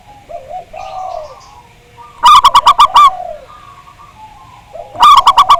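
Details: Zebra doves cooing, recorded to prompt caged birds to sing: gentle rolling coos from several birds, broken by two loud bursts of five or six rapid staccato notes about three seconds apart.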